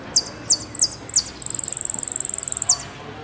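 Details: Argentine goldfinch singing "El Meryl" style, golpe y pitadas: four spaced, sharp high downslurred notes, then a long, even, very high rapid trill of about twenty-five pulses ending with a downslur.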